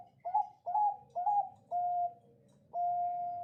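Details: Zebra dove, Bangkok perkutut strain, singing keenly in the clear 'crystal voice' style meant as a master for other birds: a run of staccato mellow coos, each starting sharply then levelling, ending in a longer steady note.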